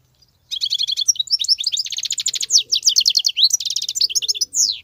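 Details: European goldfinch from the wild, singing without a break: a dense run of sharp chirps, liquid twittering and buzzy rattles tumbling one after another after a short quiet start.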